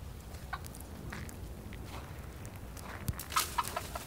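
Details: A group of wild turkeys hanging around outside a workplace: a few short, sharp clucks near the end over a steady low rumble, with soft footstep-like scuffs.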